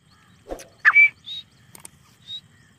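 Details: Black francolin (desi teetar) calling: a low harsh note, then a loud rasping burst with a short high whistled tail, followed by thin high whistles from other birds and a quiet low hum.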